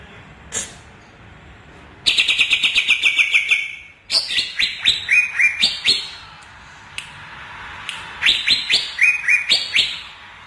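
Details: Singing cucak ijo Kalimantan (greater green leafbird) mixes fast harsh chirp series with varied, sliding whistles and sharp clicks, in phrases of one to two seconds.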